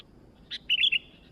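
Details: New sooty-headed bulbul singing actively: one brief buzzy chirp, then a tumbling phrase of three bright, melodious notes, the middle one wavering, ending with a soft fading tail.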